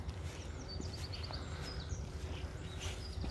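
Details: Spring bird song heard 3/4/2020 on the way from Bromsgrove to Tardebigge Reservoir: a quick run of five bright, repeated whistled notes amid scattered chirps and loud low rumbling background.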